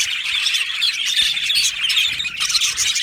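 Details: Australian budgerigars in an aviary colony, a dense continuous chatter of many birds overlapping: shrill squeaky chirps and warbles packed between high pitches, no pauses, steady loudness throughout.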